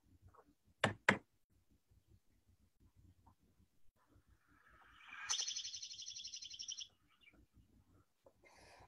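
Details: A Dark-eyed Junco, a winter ground-feeding visitor at a backyard feeder that migrates north by spring, gives a rapid, dry, buzzy trill lasting about a second and a half, preceded by two sharp knocks.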